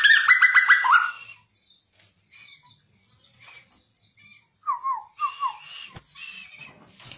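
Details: Bird known locally as tuwu, described as singing actively, opens with a loud, harsh, harmonic burst that slides downward. Soft scattered chirps follow, then a short run of clear, falling whistled notes near the end.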